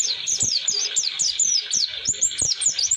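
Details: Rolling 'roll durasi' song of an Oriental white-eye, meant for tutoring new birds: dense, very high, bright twitters with looping up-and-down slurs, delivered nonstop, soft tapping clicks below.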